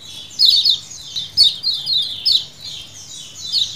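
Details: Lemon-bellied white-eyes (kecial kuning) chattering as a colony, lure-style 'ciakan': high, buzzy, falling chirps in four or five loose bursts, voices overlapping continuously.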